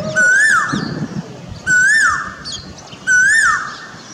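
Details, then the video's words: An Asian koel sitting in a pilkan tree in front of a house gives its song, three loud, clear whistled notes, each swelling upward then dropping, repeated about every second and a half over faint hiss; finding: Asian koel. "Asian Koel song or koyal ka gaana"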